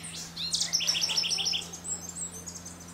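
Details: Scrub Blackbird at Sachatamia Lodge, Ecuador, in May 2012, gives a quick run of about six high, sharp chips in one second, followed by fainter scattered notes over a low steady hum.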